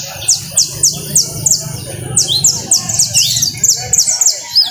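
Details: Coastal-style canary song: high, rapidly repeated downward-sweeping notes in quick rolls, about three or four per second, with a steady low hum beneath.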